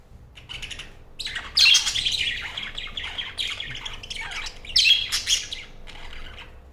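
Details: A group of Budgerigars in a travel cage, set for transport, feeding and playing, chatter in bursts of scratchy, high warbles and sharp squawks, with several birds overlapping.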